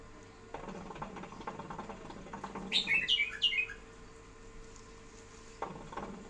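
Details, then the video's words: Pet bulbul uttering a rapid burst of three or four clear, slurred whistles in under a second, amid rustling, scratching movement noise and a steady background hum. "احلا صوت بلبل اليف"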